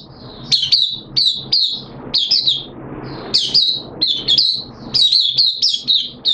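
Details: Caged oriental white-eye (mata puteh) singing on the second day of a monthly deworming treatment, September 2022: rapid high, thin twittering phrases with sharp chirps, in quick bursts about every half second, low hum beneath.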